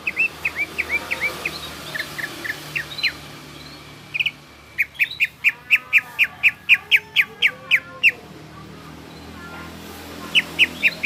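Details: Lively greater green leafbird song: scattered sharp chirps at first, then a fast regular sequence of crisp ticking notes, about four per second, and a final short burst, over a constant low background hiss.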